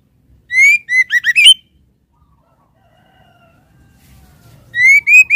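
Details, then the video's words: Female white-rumped shama calling the male: a quick series of clear, slightly rising whistled notes with bright overtones, then a pause and a second run of similar whistles at the end. The background is otherwise quiet. "SUARA BURUNG MURAI BATU BETINA MANGGIL JANTAN"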